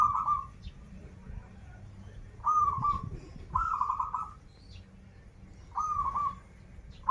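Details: Local zebra dove from Banten singing krital-style song: five rolling, slightly rising trilled coos, each under a second, repeated every one to two seconds, with low background noise.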